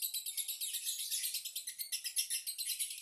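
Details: Lovebird chattering: an unbroken, dense stream of high, buzzy chirps pulsing about four times per second, fairly loud throughout.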